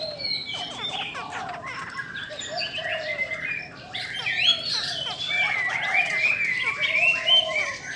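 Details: Song of a female Chinese hwamei, strongly provoking males: dense, continuous warbling with varied whistled slides, growing louder and busier toward the end, set against a low background hiss.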